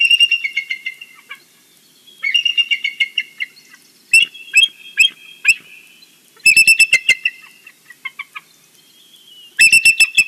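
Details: Morning calling from a bald eagle at its nest in the Big Bear valley, picked up by a live nest camera: four bursts of quick, shrill, staccato piping notes, each several seconds apart, with fainter squeals between them.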